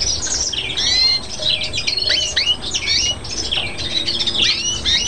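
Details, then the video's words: A greenfinch × canary hybrid from Chios, Greece (2011) sings a fast, continuous twittering song of rising and falling whistles, trills and buzzy notes, with no pauses. "φλωροκαναρο 2011 greenfinch (carduellis chloris)x canary(serinus canarius)"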